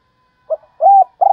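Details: Decoy spotted dove singing: brief soft cooing notes, then a fuller mellow coo and the start of another, cut short, with a faint steady tone in the background.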